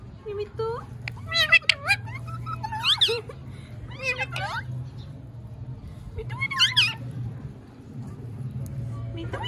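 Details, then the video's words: Talking parrot kept as a pet, speaking clearly: several short bursts of squeaky, voice-like warbling phrases with sliding pitch, separated by pauses, over a steady low hum and faint background music. "Miya Mithu Chori Khani hai speaking clearly"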